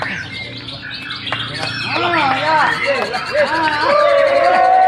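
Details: White-rumped shama performing at a songbird competition, tailless: varied looping whistled phrases and rising slurred notes, ending in a long sustained whistle, with other birds and crowd chatter behind.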